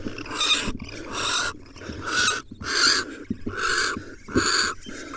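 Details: Wild barn owls at a nest as the male delivers an awkward prey item, a nestling swallow, to the owlets. Harsh, broadband hissing screeches of about half a second, repeated roughly every second in a steady series.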